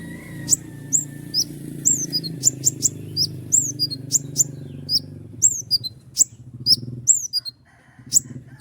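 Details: Common iora singing in full voice, a long roll of sharp 'shots' kept as a master tutor for songbirds: rapid run of very high, sharp, downward-flicking notes and clicks, over a constant low hum.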